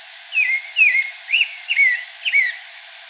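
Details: Pale-breasted thrush singing in the wild, five rich whistled phrases in quick succession, each a falling slur, with a faint higher note or two from other birds behind.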